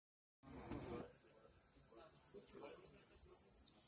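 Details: Swifts singing: after a short low rumble, thin shrill buzzy screams set in high and grow louder, overlapping trills in the last half.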